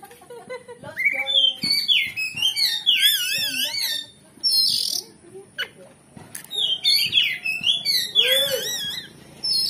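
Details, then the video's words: Oriental magpie-robin in excited song meant to make another bird answer and fight: dense, fast trilling and wavering whistles, sharp clicks and harsh rasping notes, in two long bursts separated by a short gap. "Pancingan Kacer Gacor Ngeplong Bongkar Isian"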